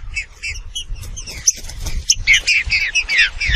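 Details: Green-winged saltator (Saltator similis) song: a fast run of bright, slurred whistles and harsher notes, about two or three a second, high and loud against a faint low rumble.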